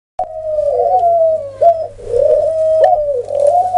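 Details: Dove giving a low, soft, drawn-out cooing, each hum-like phrase wavering slightly and lasting over a second, repeated three times with brief gaps, with a few clicks between.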